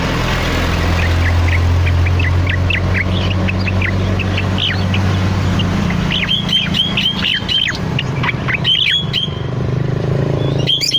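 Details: Cucak loreng bulbul singing diligently, a long recording used as master song or lure for other birds; short sharp whistled notes near the end, after a steady low hum masks the first half.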